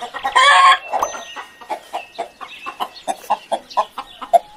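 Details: Chicken clucking: a short loud harsh squawk at the start, followed by evenly spaced low clucks roughly every third of a second.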